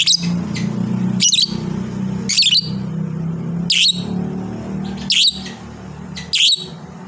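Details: Lovebird, a fighter hobby bird, giving clipped shrill chattering bursts roughly every second, six in all, high and squeaky, over a steady low humming drone.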